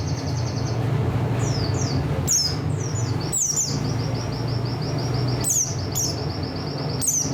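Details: Oriental white-eye, buxtoni form, in song material: long, even, high trills alternate with quick downslurred chirps and sharp clicks, set against a steady low rumbling hum.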